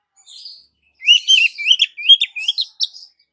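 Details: Female Oriental magpie-robin calling to the male: a faint high note, a pause, then a rapid run of bright, upward-slurred whistles mixed with scratchy chirps, about a dozen notes in two seconds.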